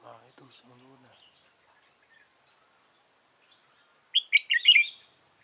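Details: Decoy red-whiskered bulbul during trapping, 15 November 2017; a man speaks briefly, then after a quiet gap the bird gives one loud burst of bright, warbling whistled notes.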